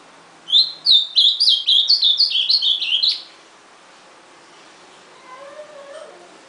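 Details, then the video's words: Ultramarine grosbeak giving a hurried burst of roughly a dozen bright, slurred whistles over about two and a half seconds, followed by quiet with a few faint low whistles in the background. "AZULÃO CANTANDO"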